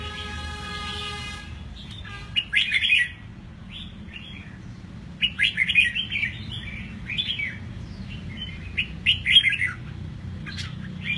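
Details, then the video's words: Red-whiskered bulbul, eight months old and kept in a cage, just through its moult: short bubbly warbling phrases separated by pauses of a few seconds, after a brief opening tonal noise. "Chim Chào Mào Hót, Em nó mới 8 tháng lồng vừa xong lông sổ giọng cực hay"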